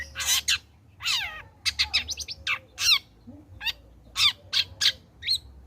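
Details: Long-tailed shrike in full song after moulting (trotol), meant as a lure for other shrikes: varied fast chirps, downslurred whistles and short raspy notes tumbling together, with a faint steady tone and low hum beneath.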